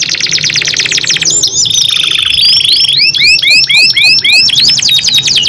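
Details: Two canaries singing back and forth in the long, vigorous Indonesian 'gacor' style: a dense fast trill, a long level whistle, then a run of bright looping upslurred notes repeated several times a second.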